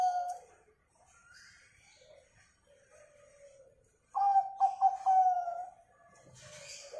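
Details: Zebra dove song used to coax other birds to sing: quiet low murmuring at first, then a loud burst of stuttering coos on one level pitch lasting about a second and a half, with scattered soft noises after.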